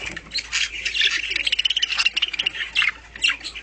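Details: Home-bred pet budgerigars chattering in a busy mix of high, scratchy warbles and rapid chirps, several birds overlapping with no pause.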